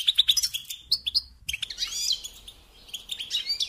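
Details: Goldfinch song from a kept bird: a few sharp high chirps, a brief pause, then a denser run of twittering notes with buzzy slides.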